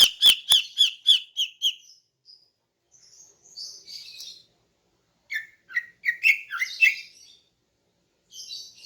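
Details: Morning song of a female greater green leafbird, used to draw in males: a fast burst of about seven bright chirps, then soft buzzy notes, then a lively run of varied whistled notes.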